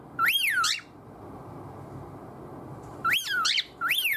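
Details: Cockatiel demanding its owner's attention indoors with strange calls; one bright rising-falling whistle, a long pause, then two more quick harmonic whistles close together.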